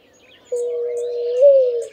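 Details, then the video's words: Streptopelia dove giving one steady, level coo lasting over a second, lifting slightly in pitch near the end before falling away, in a quiet setting. "Sounds of Streptopelia"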